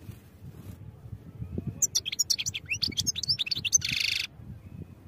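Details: European goldfinch song for training: a fast, liquid twittering phrase of high bright notes closing with a harsh buzzy rasp lasting about half a second, over low background noise.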